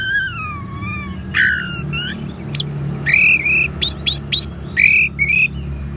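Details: Orange-headed thrush singing ngeban style to lure caged birds into song: a long falling whistle, a varied series of sharp upslurred and twanging notes, and rich warbled phrases with steady low background hum.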